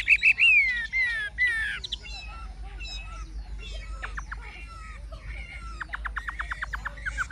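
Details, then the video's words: Wild-caught adult Chinese hwamei singing its forest voice. Loud descending whistles open into varied slurred notes, ending in a rapid stuttering series of clipped notes and a rising whistle. "Họa mi già rừng chuẩn giọng rừng hay"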